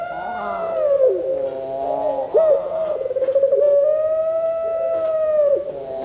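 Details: Barbary dove of the Puter Pelung type, breeding stock, calling often: one long drawn-out low coo. The pitch holds steady and wavers slightly, then breaks briefly near the middle and end across six seconds.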